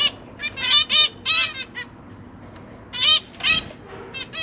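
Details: Zebra finch parents feeding three juveniles and three newly hatched babies in a large cage, 29 September 2023: clustered nasal, tinny calls in quick sequences, a pause, then more call bursts and soft rustles, with a thin steady high hum.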